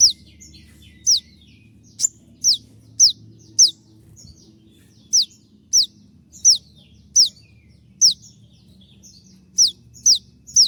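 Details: Konin, possibly molting, singing a 'tembakan' master for cage-bird training: rapid, sharp, descending high notes repeated steadily at roughly half-second intervals, with a brief gap and a single click, low hum beneath.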